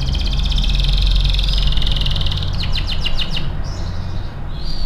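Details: Canary giving a lively training song: a long, loud buzzy rattling trill, then a rapid run of about six downward-swept whistles and a few softer closing notes, with a persistent low hum in the background.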